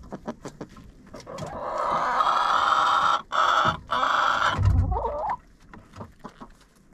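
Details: Chickens inside a coop, filmed by a GoPro within it: a few short clucks lead into a long, strained, harmonic crow broken by brief gaps, ending with a low thump and a rising squawk, then scattered soft clucks.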